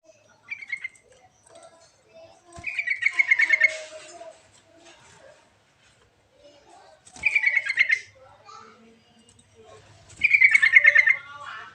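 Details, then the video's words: Sooty-headed bulbul song, used as a lure to stimulate lazy bulbuls to sing: three bursts of rapid, pulsed chattering notes at a steady pitch, each about a second long, separated by pauses, with softer scattered notes between. "Suara Pancingan Burung Trucuk Isian Istimewa Untuk Perangsang Trucuk Malas Bunyi"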